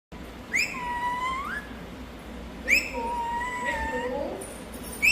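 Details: Pet parrot giving drawn-out whistled, nasal calls that start with a sharp upward sweep, then hold a steady tone for about a second. Two full calls, spaced about two seconds apart, plus the start of a third. A steady low room hum runs underneath.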